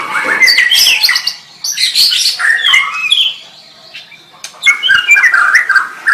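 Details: A white-rumped shama pours out a dense, varied song of harsh chatters, slurred whistles and squeaky notes, pausing briefly before another burst of tumbling phrases; played to help train other shamas.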